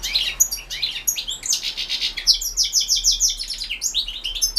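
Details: Competition singing of a European goldfinch, recorded for the 2016 world championship in goldfinch song run online: unbroken rapid twittering, with tinkling high notes and buzzy rattled chirps repeated in quick succession throughout.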